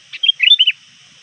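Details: Sooty-headed bulbul kept as a trained lure bird, calling to rivals near dusk. A brief burst of four or five liquid, warbling chirps lasts about half a second, with a faint steady high hum behind.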